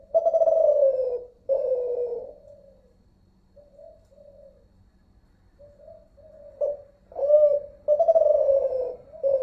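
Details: Malaysian zebra dove, Kelantan-type voice, calling in an unedited recording: two long, throaty, falling coos, then a run of soft brief notes, then strong rolling coos again at the end.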